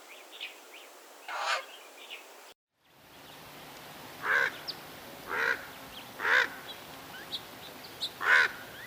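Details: Raven calling in the wild: a few faint harsh notes, a brief dropout, then five hoarse, rasping calls spaced roughly a second apart over a quiet background.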